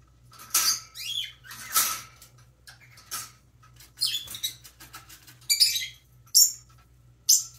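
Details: Baby parrotlet chirps during preening: repeated harsh, buzzy high chirps mixed with rustling, coming in uneven bursts every second or so, against a low steady room hum.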